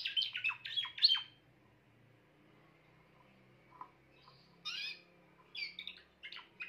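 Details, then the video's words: Grey Timbrado canary singing a quick run of bright, sweeping notes for about a second, then falling quiet apart from a few scattered short chirps. "meilleur chant canari timbrado l chant d'un canari timbrado gris"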